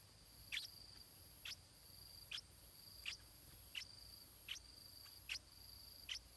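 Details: Stripe-throated bulbul chick in the nest begging to be fed, repeating a single short, high, sharp chirp about every three-quarters of a second, eight times, beneath a continuous high-pitched insect whine.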